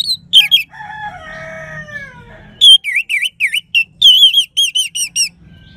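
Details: Orange-headed thrush singing in bright 'crystal' voice as a lure for listless birds. Two sharp notes, then softer sliding lower tones, then a quick run of about a dozen looping, bouncing chirps.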